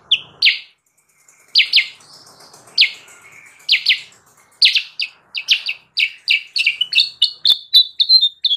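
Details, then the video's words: Sooty-headed bulbul recording meant to lure wild birds: paired sharp chirps with gaps, then a quickening string of bright notes ending in short level whistles. "suara burung kutilang sutra gacor!!! pancingan dan pemikat burung kutilang sutra liar"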